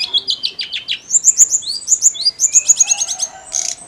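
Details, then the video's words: Lively snowy-browed flycatcher song played to excite other songbirds: quick high chirps, then a run of bright whistled notes repeated rapidly, ending with a short rasping burst. "KICAU TLEDEKAN GUNUNG GACOR MERANGSANG EMOSI SRDC DAN KACER"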